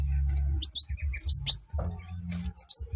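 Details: Sunbird song played to get other birds singing: a few high, sliding whistled notes, some ending in bright downward swoops, against a loud low hum.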